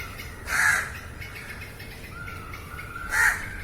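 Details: Crow calling in a live recording: two rough caws about two and a half seconds apart, with a faint thin call in between over quiet background hiss.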